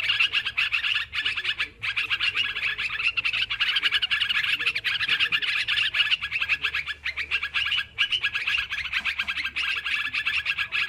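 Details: Busy chorus of sooty-headed bulbuls for luring: steady, crowded chirping and liquid chatter, briefly broken by short pauses near the second and eighth seconds.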